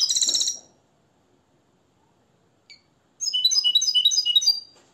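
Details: Hand-reared Moroccan European goldfinch trained in limpio singing gives a short, high twitter, falls silent for about three seconds, then resumes with a quick, jingling phrase of bright notes.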